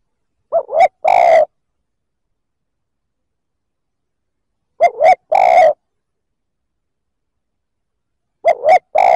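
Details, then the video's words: Spotted dove calling to provoke rival males, three low cooing phrases of paired short notes ending in a drawn-out coo, spaced about four seconds apart against a quiet background. "Tiếng chim cu gáy kích bổi chuẩn"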